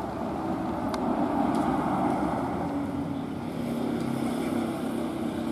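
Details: Loud continuous engine drone dominates throughout, with no animal sound heard.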